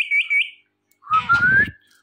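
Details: Indian ringneck parrot talking and dancing: two quick high chirps, a pause, then a clear whistle sliding gently upward, with soft rustling or tapping beneath.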